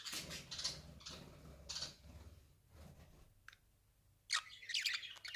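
A budgerigar gives scratchy, high chirps and squawks in uneven bursts, with a low room hum beneath.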